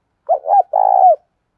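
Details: Spotted dove cooing, a lure call used to provoke and attract other doves; two low, mellow coo phrases, the second long and throbbing, ending in a slight downward slur.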